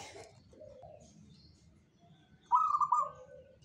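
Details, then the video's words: Local zebra dove, Jogoboyo type, believed to draw good fortune: after quiet low cooing, a loud rippling phrase of several rapid notes bursts out near the end, then soft coos continue. "SUARA PERKUTUT LOKAL JOGOBOYO PENGUNDANG REZEKI"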